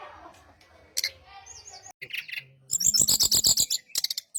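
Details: Brown-chested jungle flycatcher song played to lure others into replying: scattered high chips and a wavering whistle, then a fast buzzy rattle of about four notes per second.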